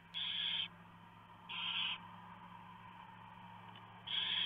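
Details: Barn owl nest at 3:59 AM on 3 November 2015: the female shreds a huge mouse from the male for the owlets. Three loud, harsh hissing screeches, each about half a second long, play over a low electrical hum.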